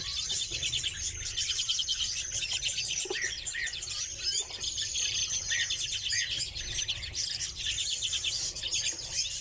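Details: Kept redpolls fill the air with high, fast twittering and buzzy trills, with several birds calling together without pause.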